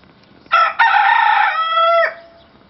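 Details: A dwarf (bantam) rooster in Italy gives one strong crow of about one and a half seconds. It is broken at the start, then held steady and rich, and ends with a falling tail.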